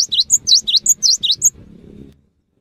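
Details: Cinereous tit delivering a fast, shrill phrase of about nine notes, swooping high and low tones in alternation, lasting about one and a half seconds, followed by a faint low murmur.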